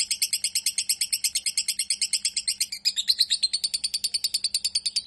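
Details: Lovebird singing a fast, high-pitched stream of sharp chirps, about six to eight notes per second, with a brief break and a shift in tone midway, over a faint steady low hum.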